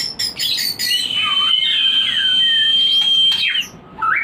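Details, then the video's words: White-rumped shama singing to stimulate breeding: quick clicking notes, then a long sustained high whistle layered with softer lower phrases, ending in a brief rising note. "Pancingan untuk burung Murai Batu Breeding / menaikkan birahi"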